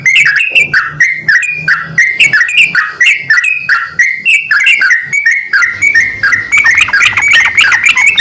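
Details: A male and a female Javan myna answer each other, trading harsh, buzzy squawks and bright metallic chirps in quick repeated bursts, growing into a denser chattering run near the end over a faint low hum.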